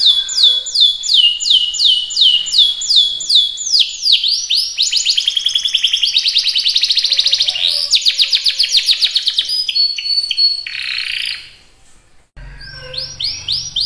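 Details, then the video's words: Canary singing repeated swooping whistled notes, then fast rolling trills and long chattering phrases, a brief pause, and more swooping whistles at the end. "Kicauan Burung Kenari"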